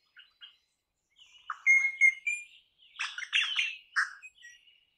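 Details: Crimson rosella (Platycercus elegans) calling: two short soft notes, then clear piping whistles mixed with rough chattering and squeaky notes over about three seconds, with thin high whistles above.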